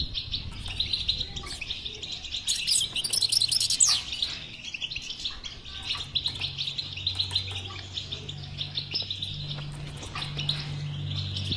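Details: European goldfinch song in the bitbita style, meant to stimulate a silent goldfinch to sing: dense, fast, liquid twittering with buzzy bursts, continuous throughout, over a low steady hum.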